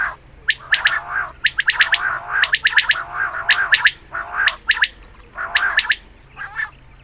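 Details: Quail female heard calling at morning for hunting use, giving rapid raspy chattering bursts punctuated by crisp clicks, roughly once per second, over a faint constant low hum.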